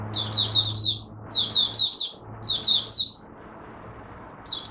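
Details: First daily warm-up of a caged Malaysian white-eye, 01/08/2023: three evenly spaced bursts of high, rapid twitters, a fourth starting at the end, with a low steady hum underneath.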